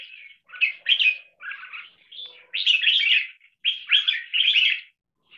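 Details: Long-singing caged red-whiskered bulbul pouring out rich warbled chirps in joined phrases with barely any pauses, in the double-note marathon style.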